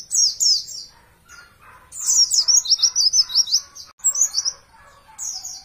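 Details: Champion Oriental white-eye, a master recording for training caged birds: rapid, high, thin twittering phrases sliding downward, in bursts separated by short pauses, over a fainter layer of lower chattering.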